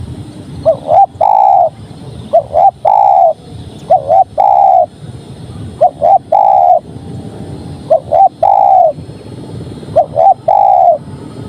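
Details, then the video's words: Spotted dove, called tekukur locally, singing a loud coo phrase: two short rising notes followed by a longer drawn-out coo, repeated five times about every two seconds, with faint low background rumble. "Suara Tekukur Padu Enak Didengar"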